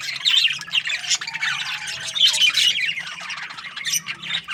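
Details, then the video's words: Morning budgerigar flock chatter with bright whistled chirps, short rising squeaks and scratchy warbling notes, bursts swelling and fading every second or so. "Amazing budgies chirping sounds in the morning"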